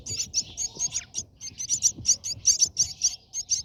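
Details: Brahminy starling at its nest during feeding: a fast stream of very high, squeaky chirps, several per second, with brief pauses.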